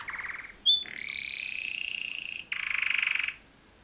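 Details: Male canary singing a mating song: a short buzzy trill, a sustained steady whistled tone lasting over a second, then a rapid rattling trill.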